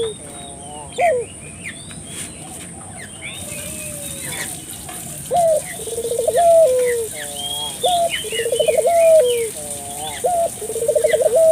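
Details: Barbary dove calling vigorously as a lure for local doves; after quiet opening seconds with scattered bird chirps, loud rolled trilling coos repeat steadily, with other small birds chirping above.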